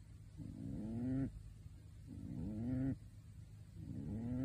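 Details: A pet pigeon in a bird suit snores in its sleep. Three long, swelling, buzzy breaths, each rising slightly in pitch and ending abruptly, with short quiet gaps between them.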